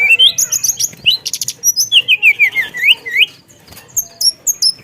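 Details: Javan tesia in rolling song with mimicked notes: a sequence of wavering, down-slurred whistles repeated several times a second, with short buzzy bursts and a few high thin notes near the end.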